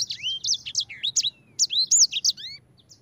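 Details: 'Ngerol' rolling song from a yellow-fronted canary (sanger), used as a lure recording: lively high whistles with rising and falling slurs in two quick bursts, separated by a short pause, fading at the end.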